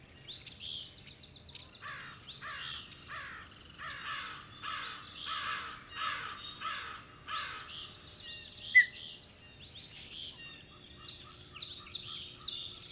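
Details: Osprey male at Hog Island on 17 April 2016, calling for his absent mate: long series of harsh, buzzy chirps repeated about twice a second, broken by brief pauses, then thinner whistled notes.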